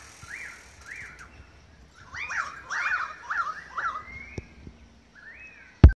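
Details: Australian magpies in Beverly Hills, Sydney, Australia, August 2015, part of a long singing concert; paired fluted notes, then a burst of overlapping warbles, a long rising slur, and a sharp knock at the end.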